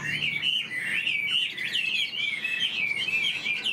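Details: Tame caged Chinese hwamei pours out a high, continuous warbling song of fast rippling whistles, with little pause.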